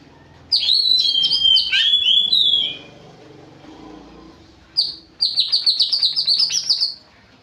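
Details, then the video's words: Sooty-headed bulbul in a spirited, fiery song burst: two loud phrases of rapid bubbling, warbled notes, the second a fast rippling series, separated by a short quiet gap with faint background noise. "cucakijo tembakan pedes"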